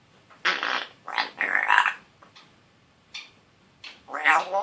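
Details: One-year-old male African grey parrot, a pet just starting to talk, with a still scratchy voice: short raspy word-like bursts, including a buzzy raspberry-like sound, separated by pauses.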